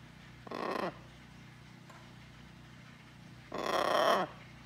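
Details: A pet blue-and-gold macaw on a farm, repeatedly saying "hello" and "quack" with its owner, gives two short, raspy, voice-like bursts about three seconds apart in a quiet room.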